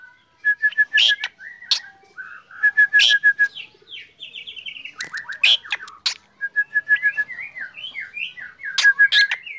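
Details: Black drongo singing energetically in the morning: runs of short, evenly repeated whistled notes alternate with harsh broadband bursts and sliding, falling whistles, a varied, chattering phrase over a quiet background.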